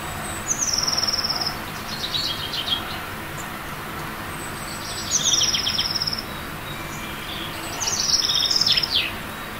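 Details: Eurasian blue tit perched near its tree-hollow nest in early April, loudly advertising its territory. Three phrases, each a very high thin note dropping into a fast tinkling trill, come roughly every three to four seconds over a soft hiss.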